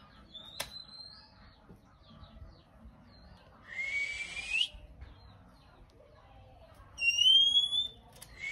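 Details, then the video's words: Male Oriental magpie-robin calling continuously to provoke other birds into singing: scattered clear whistles, a short high note early, a rising slurred whistle around four seconds, then a long bright level whistle near seven seconds, over faint background noise. "Choè Than Trống Rít Khè Liên Tục Kích Chim Hót Căng Lửa 100%"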